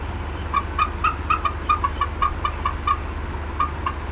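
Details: Upset female bald eagle at the Decorah North nest, 18 April 2016, 4:23 PM CDT, clucking as something was perhaps in her area: a fast series of short, sharp chip-like notes, about four per second, over a steady low hum.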